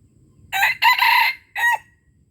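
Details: Red junglefowl from Aceh crowing, a call used to lure wild junglefowl: three loud, harsh, hoarse bursts in a short-long-short pattern, the middle phrase drawn out longest, against a quiet background.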